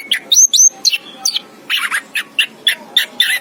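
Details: Anis kembang, the orange-headed thrush, giving a fast, uneven string of short bright chirps and high squeaky notes, roughly three or four per second, over a quiet background.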